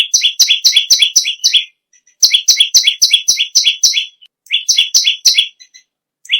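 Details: Bar-winged prinia in vigorous, nonstop song: fast runs of sharp, high two-tone chirps, about four each second, broken by brief pauses between bursts.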